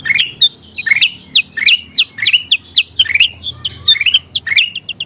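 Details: Bulbul known as kutilang emas singing as a tutor recording for songbirds: crisp upward-slurred whistles and short chirps in rapid succession, ending with a few quick high notes.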